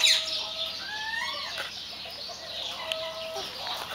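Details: White Silkie chickens giving drawn-out, fairly pure tonal calls, some level and some sliding upward, against a constant hissy background of high-pitched chatter.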